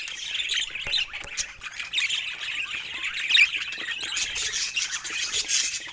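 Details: Playful pet budgies produce softer warbling chatter and scattered sharp squawks, a continuous high twitter with a few louder chirps standing out.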